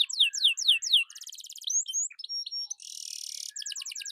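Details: Atlantic canary song for prompting and tutoring other birds: four descending slurred notes, a rolled rattle, varied chirps and whistles, a long harsh buzz, then quick repeated notes.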